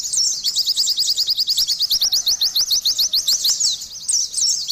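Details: Fast, high-pitched chattering of an Oriental white-eye, a steady stream of quick rising chirps repeated several times a second with barely a pause, ending in a brief flourish of higher twittering notes.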